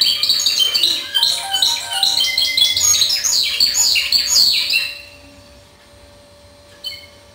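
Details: Timbrado canary singing in the discontinuous style: dense rolling trills and metallic warbled phrases for about five seconds, then near silence with one faint note, a steady hum underneath.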